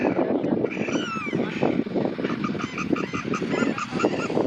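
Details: Sarus cranes (Antigone antigone) in India give loud, harsh, brassy trumpeting calls in rapid, overlapping bursts, over a steady background of other calls and murmuring.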